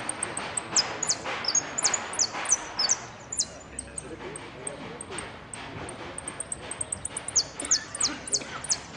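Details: Contest saffron finch, 'amarillo sin cierre' category, Pirán, 25 September 2016: rapid series of piercing, high, down-slurred notes and short whistles, delivered in quick bursts over nine seconds, with crowd chatter and bumps in the background.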